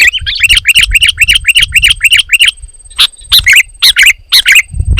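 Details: Sooty-headed bulbul in loud, dense song said to provoke rival bulbuls into singing; a fast run of about ten bright, dropping chirps in under three seconds, then slower, scattered harsh notes.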